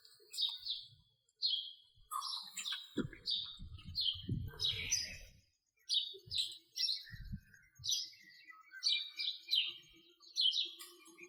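A house sparrow chirps steadily, giving bright, slightly falling cheeps in irregular runs of one to three, with a few low thumps partway through.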